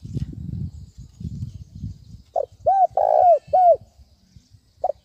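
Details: Spotted dove calling in the thúc bổi manner for luring: a short coo, then three strong arched coos, the middle one longest, and a final brief note. Low rumbling noise precedes the calls.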